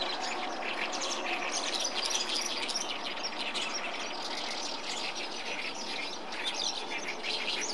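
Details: Oriental reed warbler singing in a reed bed at the Tone Canal, Japan, on 19 May 2014: a harsh, chattering, fast, unbroken stream of grating, croaking notes against a busy background of other small birds.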